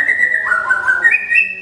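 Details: Caged white-rumped shama at a singing contest, the first-place winner performing with deep bowing moves: a string of pure whistled notes, dipping briefly then stepping up to higher sustained tones, over soft background music.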